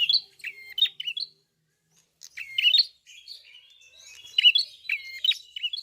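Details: Red-fronted prinia in full song: quick clusters of high, squeaky chirps mixed with thin level whistles, delivered in rapid phrases with a short silent gap midway, otherwise continuous and clean.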